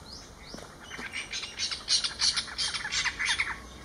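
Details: Screeching call of spotted owlets in Ahmedabad, Gujarat, captured on a Nikon camera: after faint high notes, a rapid run of harsh, raspy chattering screeches, about five per second, growing louder, over a thin insect drone.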